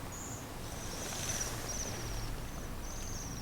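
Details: Bohemian waxwings in lingering snow along the Senjogahara boardwalk, Oku-Nikko, Japan, give thin, very high, sibilant "chiri chiri" trilled calls in several short bursts over a steady low rumble of background noise.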